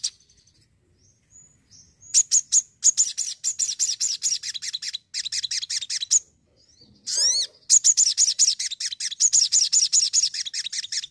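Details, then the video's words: Indonesian crimson sunbird, known as sogon, in spirited song: long bursts of fast, high, tinkling notes, broken once by a quick descending slurred whistle before the rapid chatter resumes. "SOGON ISTIMEWA YANG ENERGIK"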